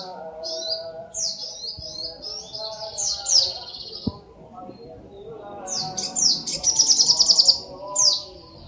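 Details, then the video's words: Brown-throated sunbird song of thin, high slurred whistles and short sweeps, building to a quick even trill of sharp notes, over a murmur of low background noise and a few clicks. "SUARA BURUNG SOGOK ONTONG GACOR SI KECIL SANG GURU VOCAL"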